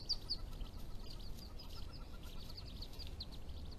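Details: Day-old wood duck ducklings, April 2016, leaping from a nest box about 7 feet high to join the hen below, give thin, high, overlapping peeps in quick succession over a steady low rumble.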